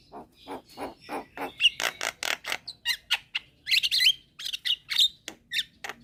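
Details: Young Javan myna calling companions during the day, answered by other mynas: a run of repeated rasping notes, followed by sharp whistled squawks and clicks.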